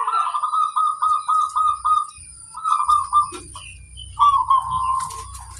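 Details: Wild female zebra dove uttering fast stuttered coos, a long beaded trill, then shorter rolling phrases after brief pauses, over a soft low rumble.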